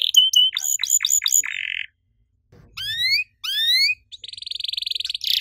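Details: Canary singing cuit cuit riwik phrases: quick chips, a short buzz, then two bursts of rising whistled notes separated by brief silences, ending in a soft buzzy tone.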